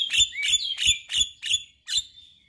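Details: Caged male Javan myna with white eyes, its song used to set other mynas singing: six loud harsh clipped notes spaced about a third of a second apart, each with a short whistled tail.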